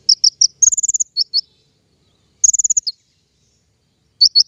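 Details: King konin lure song for trapping birds, with a few high, sharp chirps, a fast rattling trill, then a pause before another trill and two more chirps.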